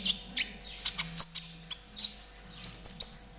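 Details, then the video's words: Caged konin, spotted 'trotol' type, used as a master recording to train caged birds to sing; quick bursts of very high, sharp chirps and short trills, loose clusters near the start and end with brief pauses between. "TERAPI KONIN TROTOL AGAR CEPAT BUNYI || MASTERAN KONIN TROTOL GACOR"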